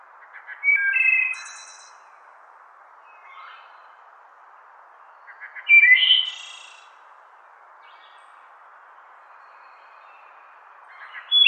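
Wood thrush singing flute-like phrases, each opening with soft notes and ending in a high, buzzy trill, spaced several seconds apart over a steady background hiss.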